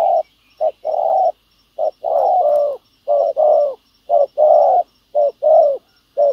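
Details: Spotted dove cooing as a decoy on the ground lures a wild field dove. Low, rounded coos overlap into longer drawn-out notes between short ones, suggesting more than one bird calling in a steady pattern.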